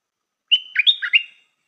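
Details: Stripe-throated bulbul kept as a new decoy bird, giving one short lure phrase: a steady whistled note, then a rapid burst of liquid, warbling notes that rise and fall.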